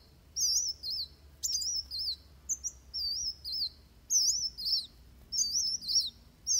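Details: Van Hasselt's sunbird delivering a fighting song used to train birds: short high, looping whistled phrases repeated under a second apart, with a few sharp clicks.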